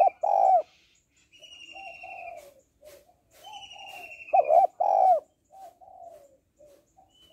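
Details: Female spotted dove calling to excite males: two loud, deep coo phrases about four seconds apart, each a short note and a longer one, separated by soft burbling coos and high thin whistles.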